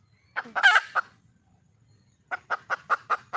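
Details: Wild red junglefowl hen calling for a male: a few clucks and a harsh squawk, over a second of silence, then a fresh run of six evenly spaced clucks.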